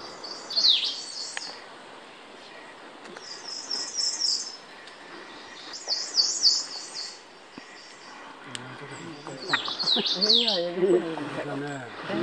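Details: Ijima's leaf warbler singing loudly on Miyake Island, Japan, on 23 May 2019: short, thin, high-pitched phrases every couple of seconds; a man's voice talks low over the final few seconds.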